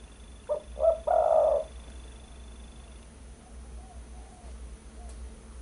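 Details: Spotted dove calling on a bird-luring and tutoring recording: a single phrase of two brief low hoots leading into one long, rolling coo, then quiet with faint hum and distant soft coos.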